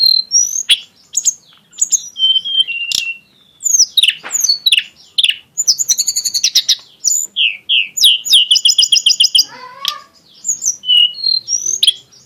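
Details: Long exotic-style phrase from a tledekan gunung (mountain flowerpecker) full of bursts: sharp chips and twitters, then fast rattling trills near six and eight seconds, a low whistled note around ten seconds, and further high chirps.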